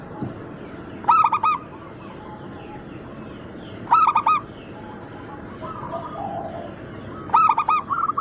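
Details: Local zebra doves of the Bangkok crossing type in a massed group. Three loud, rich phrases of rapid coos arrive about three seconds apart, with faint cooing from other birds in the background.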